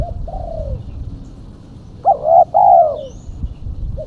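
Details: Female spotted dove lure call: a soft coo and a falling drawn-out note, a pause, then two loud rich coos in quick succession ending in a gliding fall.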